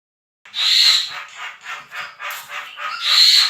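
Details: Javan myna in lively continuous song, used as master training audio for songbirds: two loud harsh rasping bursts frame a run of rhythmic scratchy chattering notes pulsing about twice a second.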